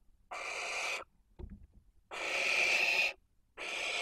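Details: Barn owls at a nest webcam in Spain's Cabañeros National Park during the 2023 breeding season, with a toad at the nest: three long, harsh, breathy hissing screeches under a second each, separated by short pauses and a brief thump.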